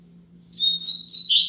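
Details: Brief opening of a Double-collared seedeater's 'Tui Tui Zel Zel Top' Braddock tutor song for teaching young birds: high thin whistles rising into loud warbled notes that drop near the end, with a faint low hum beneath.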